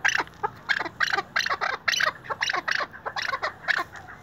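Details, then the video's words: A tethered chukar partridge gives a loud, rhythmic series of harsh clucking notes, about three per second, rising into a steady chuk-chuk-chukar cadence. "lal keklik sesi"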